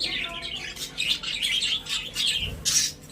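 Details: Caged pet budgerigars warble in a steady stream of mid-high chirrups and squeaks, with a brief louder, harsher note near the end and a low thump beneath.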